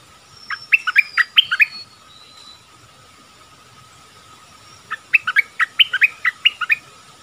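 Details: Nok dok taeng decoy bird calling a mate, recorded in a forest on 13 January 2021; two separate bursts of rapid, sharp chirping notes with a quiet pause between, a faint steady tone running underneath.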